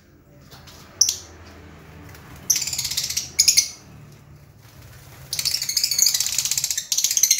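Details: Lovebird chirping in short high bursts near one second and three seconds, then a longer rapid chattering trill from about five seconds onward, with a faint low hum beneath.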